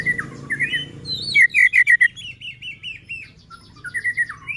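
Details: White-rumped shama in full song, used as a lure to set other shamas singing and agitate them: rich, mid-pitched fluted whistles in short rapid phrases and rolling series, with quiet music beneath.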